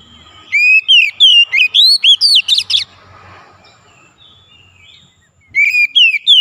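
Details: Magpie-robin (kacer) song played as a lure to provoke a silent bird into singing; loud whistled phrases of rising and falling notes around 2–4k, a rapid burst of about ten notes, pause, then another phrase begins.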